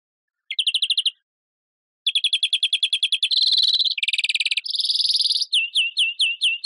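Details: European greenfinch singing a varied series of rapid trills, separated by a short pause. Rattling notes lead into buzzy, wheezing stretches, and the series ends in repeated downslurred chirps. No background noise.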